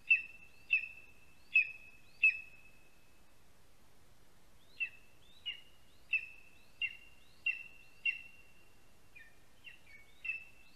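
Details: Young lesser spotted eagle in Latvia begging as a parent arrives with food at its spruce nest, summer afternoon; four loud piercing whistled yelps, a brief silence, then a quicker run of thinner, softer calls.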